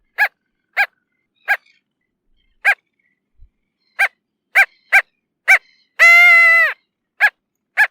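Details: Bridled tern calling in a series of short barking yaps at irregular intervals, broken by one longer, drawn-out harsh wail with a slightly falling pitch, on an otherwise quiet background.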